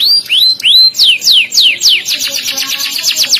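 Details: Canary with a loud, sharp, richly varied song favoured by contest judges: a few rising upslurred whistles, then quick descending sweeps that speed up into a fast chattering run.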